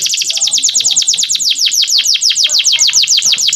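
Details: Clear-voiced male canary used to teach young birds to sing: one fast, ringing trill of repeated high downslurred notes, about five to six per second, steady and loud throughout.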